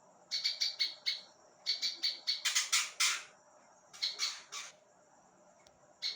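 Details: Prinia song used to teach other songbirds: quick runs of high, harsh chips, some louder and buzzier, in bursts separated by short silences.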